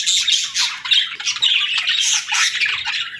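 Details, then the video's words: Budgerigars calling in a noisy cluster, harsh squawks mixed with rapid chirps and warbles, a tightly packed chatter that rises and falls in short pulses. "Budgie Chirping Sounds"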